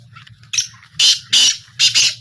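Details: In a short calling trial, a black francolin utters a series of hoarse, scratchy bursts, the last pair closely linked, over a steady hum of distant talking.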